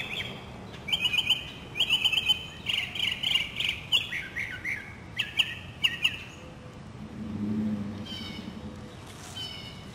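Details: Northern mockingbird singing in spring, South Carolina city neighbourhood, 2008: rapid buzzy repeated phrases in bursts, then a harsh squawk and distant low noise, other birds calling in the background.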